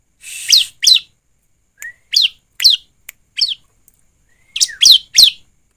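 Bar-winged Prinia song: sharp, high, downslurred chirps in quick uneven bursts, about three per second, with a few thin rising whistles between them.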